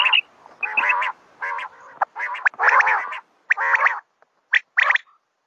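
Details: Female common quail gives an uneven series of rasping, buzzy bursts, some long and some clipped, with brief high squeaky notes at the start.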